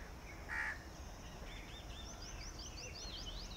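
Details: Red-vented bulbul calling in a garden habitat: one loud, abrupt note at the start, then a rapid series of thin, repeated chirping notes and softer slurred calls, with constant low background noise.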